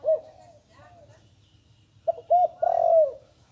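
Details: Young Spotted Dove just learning to call, recorded in dim light: a few short, low, hooted coos, the last drawn out and slightly falling, after a long quiet gap with faint low hum.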